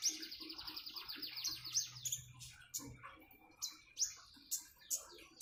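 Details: Common iora song over trickling water: a rapid run of thin, high chirps, followed by sharp, upslurred whistled notes repeated about every half second, with splashing water throughout.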